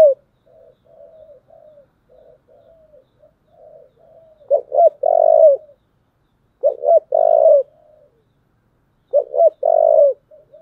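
Spotted dove giving low, throaty coos, soft murmuring notes leading into three loud bursts of hoarse two-part cooing about every two and a half seconds.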